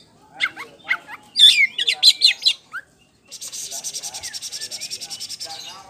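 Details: In ngeplong style, a champion caged poci Oriental magpie-robin gives varied chirps and sharp downslurred notes, then a fast, even rattling series of buzzy notes that lasts several seconds.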